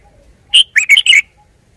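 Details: A single short Red-whiskered bulbul song phrase: a bright opening whistle, then three rapid, liquid, slurred notes in quick succession, with a quiet background.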